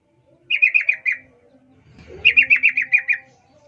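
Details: A female sooty-headed bulbul calls for a male, giving two rapid runs of bright chirping notes, about five then seven, separated by a short gap with a faint low thump.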